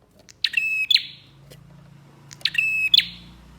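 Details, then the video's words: Bar-winged prinia singing as a lure for other prinias: two rasping, rattling phrases, each with a level ringing note and a buzzy tail, about two seconds apart, over a faint low hum. "PANCINGAN BURUNG PRENJAK GACOR DOR"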